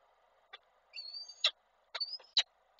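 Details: A male and female falcon meeting at the nest in Koszalin, July 2023: thin, high, level whining notes, each ended by a sharp, loud click, repeated twice with short silences between.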